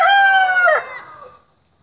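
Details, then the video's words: Loud rooster crow with rich harmonics, held level then dropping and fading over about a second into a trailing tail, from a group of roosters making noise. "ROOSTERS MAKIN NOISE"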